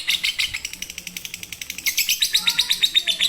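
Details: Lovebird singing in the konslet manner as a tutor for reluctant birds: a short burst of fast, harsh, high chirps, about four a second, growing louder toward the end.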